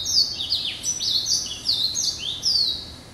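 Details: Continuous lively warbling from a pet hybrid finch bred from yellow-eyed canary and Timbrado, hatched November 2012: high, fast, slurred rising and falling notes strung together without pause.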